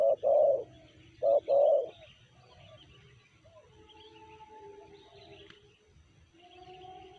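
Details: Spotted dove (tekukur), described as a BL bird with a 'sanji' voice: one loud low two-part coo, a short note then a longer one, at the start, followed by quieter bird calls and faint background noise.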